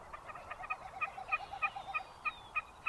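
Wilson's snipe calling: short, clipped notes repeated about three times a second in an even rhythm, with a faster, lower chatter underneath early on.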